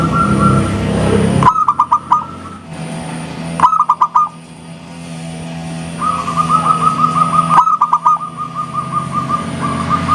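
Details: Local zebra dove in lively, clear 'engkel' song style, meant to draw answering calls: abrupt bursts of five quick pulsed cooing notes, then long runs of soft rhythmic cooing, over low rumbling traffic-like noise and a thin steady high whine.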